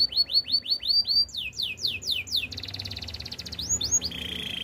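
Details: Canary singing a training song: evenly spaced rising-then-falling whistled notes about five per second, then steeper falling sweeps, a fast buzzing rattle and a final held pulsed tone.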